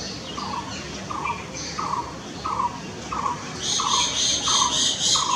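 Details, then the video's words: Blue-throated barbet (Megalaima asiatica) repeats a hollow, rolling mid-pitched note less than a second apart, with high chirps, a purple sunbird calling, and later a shrill insect-like buzz behind. "নীলকণ্ঠ বসন্তবৌরি পাখির ডাক | Blue Throated Barbet Call"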